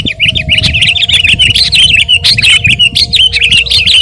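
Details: Energetic sooty-headed bulbul chatter meant for bird training and luring: continuous wavering chirped phrases with no real break, flanked by a faint hum and low background noise.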